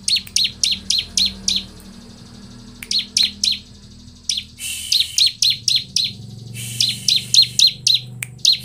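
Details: Bar-winged prinia singing as a lure for other prinias: quick runs of sharp, very high chips around four per second, paused briefly, over a faint low hum in the background.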